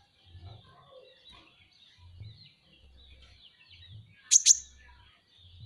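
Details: Van Hasselt's sunbird, a kept cage bird, singing a tutor-style song: a thin, continuous high twittering warble, with two sudden loud sharp chips near the end and soft low thumps underneath.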